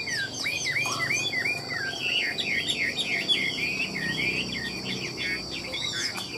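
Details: A captive Chinese hwamei, offered as a bird that sings tirelessly and nods along with ornate trilled phrasing. It pours out a fast, unbroken string of looping whistled notes over faint background hiss.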